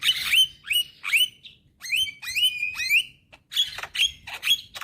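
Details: Young Javan myna singing eagerly: clear whistled notes that rise sharply at the end, repeated about every half second, mixed with short harsh chatters and a faint low background hum.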